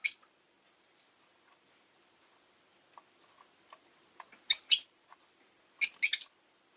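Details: Pet rosy-faced lovebird on a slow afternoon gives a short chirp, then soft clicking, then two doubled bursts of piercing high chirps.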